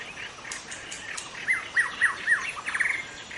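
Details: Young forest white-rumped shama giving soft chips, then a sequence of emphatic curling whistled notes roughly every quarter second, ending in a fluttering trill.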